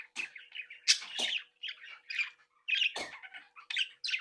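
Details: Budgerigars from a home breeding group, happy and sociable, giving loud warbled chatter with harsh squawks and scratchy chirps in quick bursts, close and indoors.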